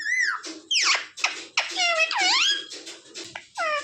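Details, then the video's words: Talking pet parrot mimicking words like mummy and papa: rapid squeaky chatter with sliding whistled notes and scratchy syllables, indoors. "Parrot talking mummy"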